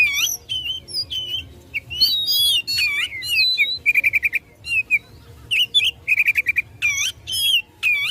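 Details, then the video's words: Oriental magpie-robin provoking rivals with fighting song: jumbled whistled warbles early, then repeated bursts of quick staccato notes alternating with swooping whistles. "Kacer Gacor tarung memicu emosi lawan"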